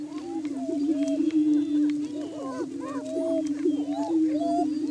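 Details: Several greater prairie chickens in courtship display on a spring morning booming-ground lek on a hilltop, Washington County, Kansas: a low, steady booming moan beneath overlapping whoops, cackles and rising hoots, about three a second.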